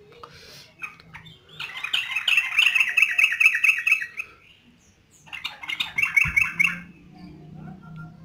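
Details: Yellow-vented bulbul, said to be gacor and singing eagerly, delivers two bursts of rapid, harsh chattering notes separated by a short silence, with a low thump near the end.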